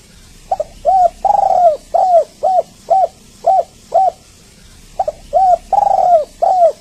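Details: Spotted dove call for luring birds, meant to prompt quiet doves into calling: rapid series of short, arched coos about twice a second, with a few longer, louder drawn-out coos, over steady high-pitched hiss.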